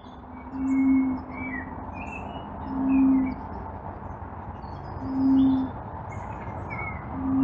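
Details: Common bronzewing in Blackiston, South Australia, 24 November 2020, giving deep, hollow booming 'oom' notes about every two seconds, a steady low moan, with small birds twittering faintly; low-pass filtered phone recording.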